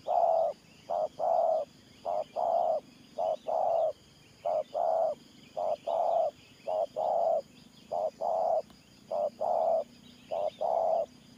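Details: Spotted dove cooing in the style called 'Thổ Pha Nước Gù', kept as a trapping decoy; a long run of paired low coos, short then long, about once a second, over soft background birdsong.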